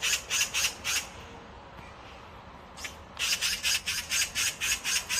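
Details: Oriental magpie fledgling, not yet ready to leave the nest, giving harsh, rasping squawks in quick rattling bursts of about two per second, a pause of quiet background hiss, then another fast run of squawks.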